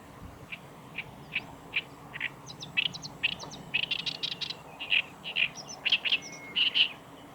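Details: Black-browed reed warbler singing at the Kita-Fuji training ground, Japan, 15 July 2019: short chattering notes repeated at uneven intervals, building into a faster run of clicky, buzzy phrases over a steady low background hum.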